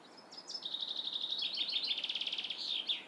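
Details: Black redstart song: a few sharp high notes leading into a steady, dense, buzzy rattle of rapid pulses lasting about two seconds, ending with a brief higher note.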